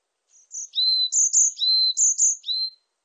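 Varied tit song: thin, high whistled notes alternating with slightly lower slurred ones, about five paired phrases in under three seconds, with nothing else heard.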